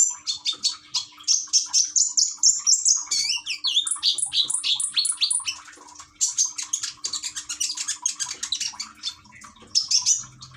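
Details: Common iora, known as konin, kept caged in Gresik, East Java, Indonesia, with trickling water therapy; rapid dense chattering trills and buzzy rolling notes, pouring out almost continuously with a short pause midway.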